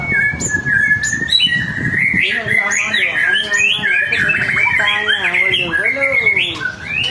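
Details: Lure song of a white-rumped shama meant to set other birds singing: long sustained whistles leading into fast rolling warbles and looping slurred notes, with clicks and high sharp accents, faint low rumble beneath.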